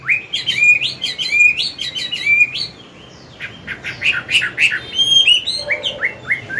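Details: Old wild-caught Chinese hwamei singing in forest style in the morning, used to train a young bird: loud whistled phrases, rising and falling, then a brief pause and a second burst of fast varied notes with sharp chips.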